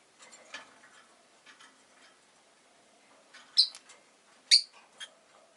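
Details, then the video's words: Caged rosy-faced lovebirds, five birds by a window in winter, make faint ticking and rustling, then three sharp, high chirps about a second apart. "Lovebird Chirping Sounds"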